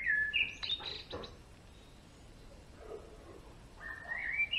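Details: Male European greenfinch: short sharp whistled notes at the start, a quiet stretch with faint soft sounds, then a rising series of bright whistles toward the end.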